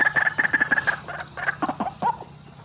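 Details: A brief burst of white-breasted waterhen calls, a lure for trapping birds: quick clipped notes with a bright ringing tone, then a few scattered rougher croaks, over faint hum.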